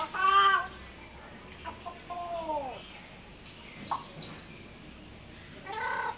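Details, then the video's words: Pet African grey parrot talking and dancing while asking for food: two loud, harsh harmonic squawks, one at the start and one at the end, with a few short rising and falling whistled notes between them over quiet room noise. "African grey Pekta talking & dancing ask for food"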